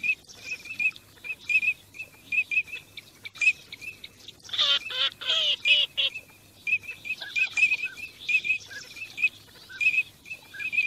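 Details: Teal during migration: many short, high whistled notes repeated in quick irregular succession, with a burst of harsher nasal quacking calls midway, several birds calling together.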